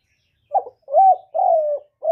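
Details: Hollow cooing of a spotted dove used as a trapping lure: a short opening note, a rising-then-falling coo, a long level-to-falling coo, and the start of another note at the end.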